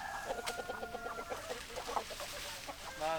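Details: Chickens giving a rapid series of evenly spaced harmonic clucks, roughly several per second, against background hiss, ending with a louder drawn-out call that rises in pitch.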